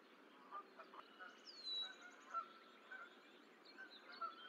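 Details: Goose at the Decorah eagle nest as the sixth and last egg hatches, 14 April 2024, recorded on a zoomed nest camera; short honking notes recur irregularly beside a high, down-slurred whistled note, with faint background hiss.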